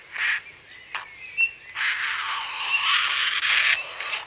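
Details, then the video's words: Grey heron giving aggressive calls at close range in Kent: short harsh rasping bursts, then a long, coarse, grating squawk lasting nearly two seconds, with faint thin whistles from small birds in between. "Grey Heron. Aggressive Calls"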